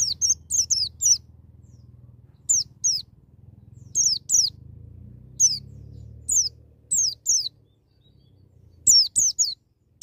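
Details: White-eye singing in the wild style, played to spur a young bird to open its beak and sing: short clusters of two to four high, sharply falling whistles separated by gaps of a second or more, over a faint low hum.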